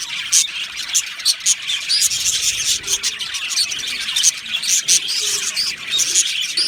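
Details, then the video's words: Budgerigars in an aviary colony, Australian parakeets, mating and breeding chatter: dense, continuous high chirping and warbling from many birds at once, with sharp bright tweets bursting out every half second or so over a steady twittering bed. "Beautiful Budgie Singing and chirping sounds"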